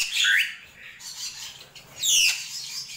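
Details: Drongo krantil gentolang phrases: a short rising slurred note, then a high, descending, whistled double note after a pause, over hiss.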